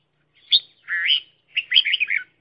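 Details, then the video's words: Red-whiskered bulbul serving as a trapping decoy: a sharp chip, a slurred warble, then a fast run of lively whistled notes. "Tiếng chim chào mào mồi"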